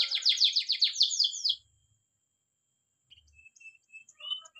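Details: Spanish Timbrado canary, training song: a short burst of fast down-slurred notes lasting about a second and a half, then quiet with faint thin whistles.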